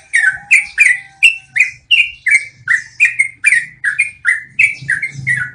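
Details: Yellow-vented bulbul (trucukan) giving its long rolling song as cage-bird training audio: even chain of throaty descending whistles with crisp clicks, a soft low rumble underneath.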